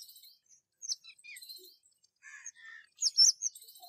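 Rose-ringed parakeet giving short, high, scratchy chirps, with a louder harsh screechy burst near the end, among softer twittering notes.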